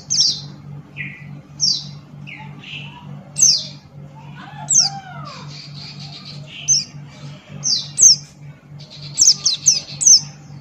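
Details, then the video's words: Buxton's white-eye in full ngalas song, beak open: high, thin downslurred notes and lower whistled slurs, spaced irregularly and rising into a quick cluster near the end, over a low electrical hum. "Burung Pleci Buxtoni Gacor Ngalas Buka Paruh"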